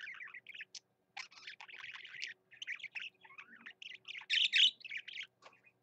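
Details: Pet parakeet warbling energetically: long runs of raspy, buzzy chatter and chirps, a brief silence early on, then louder scratchy bursts toward the end in an otherwise quiet room.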